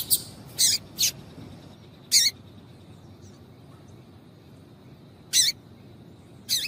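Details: Female double-collared seedeater calling to excite a male bird: short, high, scratchy chirps, singly or in a quick pair, separated by pauses of one to three seconds over a faint steady hum.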